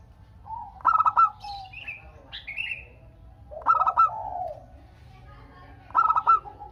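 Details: Local Indonesian zebra dove singing actively, used to prompt other doves to answer: three bursts of rapid, pulsed staccato cooing, each followed by softer lower coos, with higher slurred whistled notes from other birds between bursts.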